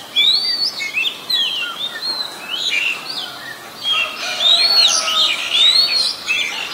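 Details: Oriental magpie-robin, a very common resident, recorded in Ubon Ratchathani, Thailand, on 23 December 2019: varied whistled phrases with rising and falling sweeps and short chirps, loud and busy, over light background noise.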